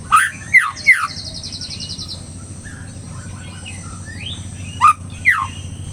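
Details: Agitated white-rumped shama giving a few loud, sharp whistled notes that sweep and slur in pitch, clustered at the start and again near the end, over steady low hum and background noise.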